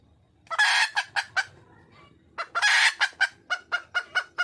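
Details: Female red junglefowl in the wild calling to attract a male: loud rasping drawn-out notes, each followed by a series of short, regularly spaced clucking pulses, with two such bouts in quick succession.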